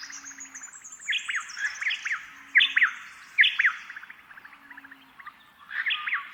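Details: A pair of White-eared honeyeaters in the dawn chorus take turns, trading their one dawn song phrase back and forth about once a second, bright and clipped, with fainter high chirps from other birds behind.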